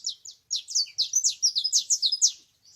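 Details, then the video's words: Canary singing in nature: a fast run of high, buzzy, slurred notes in quick succession, with a short pause after the first two notes and then a dense burst of chirps, with no other sounds. "La vie de l'oiseau canari dans la nature طائر الكناري في الطبيعة"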